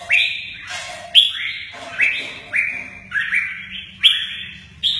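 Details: Red-whiskered bulbul, "mơ ché nẹt" song delivered alongside wing display; strong whistled phrases that climb quickly and then hold steady, sounding roughly once per second, with a faint rustle between them.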